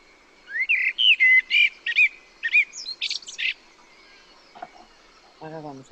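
A Common Blackbird sings a slow phrase of mellow, fluted whistles, some rising and falling, that ends in a high, scratchy twitter. A brief murmur of a voice follows.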